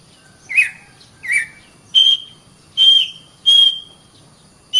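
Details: Oriental magpie-robin (kacer) song for training caged birds: spaced single notes, two short warbled chirps followed by three clear steady whistles, each about a second apart.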